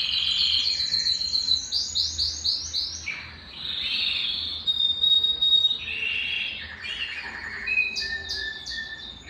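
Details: Belgian canary singing to stimulate males and bring females into breeding condition: rapid varied phrases of trills, fast repeated rising notes and short buzzy rolls, with a few sustained pure whistles, continuous throughout.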